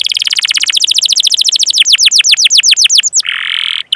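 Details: Canary performing a long chirping roll meant to encourage other canaries to sing: dense rapid trill of high falling notes gradually slowing and spreading out, ending in a brief buzzy burst.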